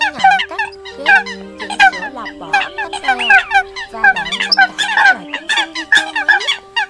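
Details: Many Eurasian coots calling on a lure track for bird catching, October 2020: harsh, harmonic, honking notes crowd together in irregular bursts, while a low hum runs beneath the first four seconds.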